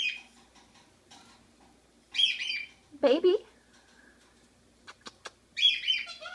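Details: Quaker parakeet kept as a pet, talking: buzzy, harsh speech-like bursts high in pitch, a lower warbled word in the middle, a few sharp clicks, and another rasping phrase at the end.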